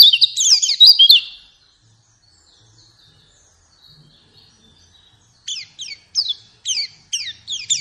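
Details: White-eye song played as a lure to get a pet bird singing and opening its beak: a dense burst of high, quick chirping twitters, a pause of near silence, then short high descending chirps repeated about every half second.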